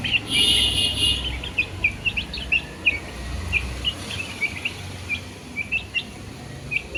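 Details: Baby chicks chirping: short, high peeps repeated rapidly and irregularly, several birds overlapping. A steady low rumble and hiss sit underneath, and a brief high whine occurs near the start.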